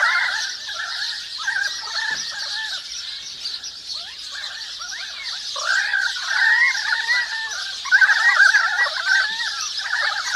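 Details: Currawong chorus in a forest: scattered wavering notes early on, then louder, tumbling mid-pitched calls building toward the end, all over an unbroken high chatter of sparrows and other birds.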